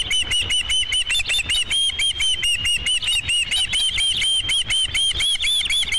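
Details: Osprey at its nest on 5 July 2016, around the delivery of the first fish: a long, rapid run of sharp whistled chirps, each slightly arched, about two per second, steady throughout.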